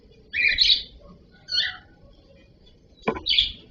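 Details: Cockatiel giving three short, harsh, screechy chirps spaced over a few seconds, with quiet room noise between them.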